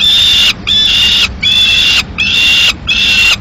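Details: At a peregrine falcon nest in Madrid on 15 May 2016, the male arrives carrying a live swift and the female kills it; four long, rasping, even-pitched wails follow one another with short pauses.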